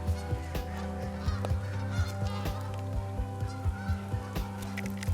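Trumpeter swans give short, deep, horn-like honks about twice a second over a steady low hum.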